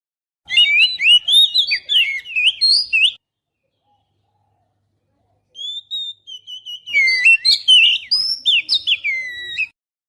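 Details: Lure recording of an Oriental magpie-robin singing, made with a GoPro Hero: two bursts of rich, varied whistles and trills about three and four seconds long, separated by roughly two seconds of silence.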